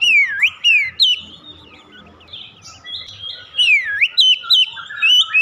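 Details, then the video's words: Oriental magpie-robin song used as a lure for singing: rich whistles with deep dipping V-shaped sweeps and upward flicks, a softer twittering middle section, then more swooping whistles. "memancing Kacer cepat ngeplong gacor"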